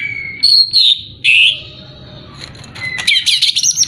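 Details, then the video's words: Greater green leafbird (cucak ijo) song used as a lure to provoke a rival bird's aggression: clear whistled notes near the start, a sustained thin whistle, then a rapid burst of sharp chirps and trills at the end. "pancingan cukcak ijo untuk menaikan emosi lawan"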